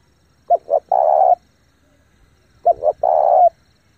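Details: Caged spotted dove used as a lure, calling in rapid, forceful bursts to attract wild birds; two quick coos followed by a drawn-out level coo, repeated twice in a clean, quiet recording.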